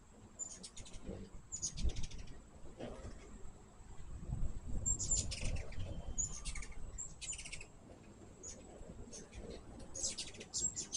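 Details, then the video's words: Hummingbirds feeding at a sugar-water feeder give quick, high, dry chip series in scattered bursts, a few sharp squeaky notes among them, against low rumbling background sound and a constant faint high tone. "My first hummingbird video with natural sound."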